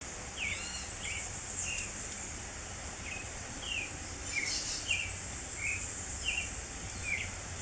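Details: Creamy-bellied thrush singing in spring: a loose series of about a dozen short, slurred whistled notes, some rising and some falling, spaced unevenly, over a constant high hiss of insects.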